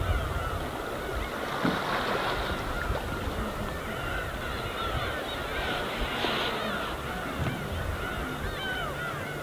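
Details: Dense overlapping mewing cries from a gull flock wheeling together over the wintry East Sea, layered over a steady wash of calm surf.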